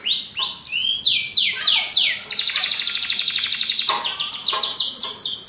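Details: Gacor canary song used to prompt birds that have stopped singing: rising whistled notes, then downward sweeps, a dense buzzy roll through the middle, and more quick sweeps at the end.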